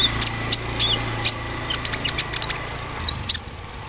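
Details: Javan sunbird in morning dew delivering its embroidery-machine imitation: sparse, very high, thin chips and squeaky ticks spaced a fraction of a second apart, over a low steady hum.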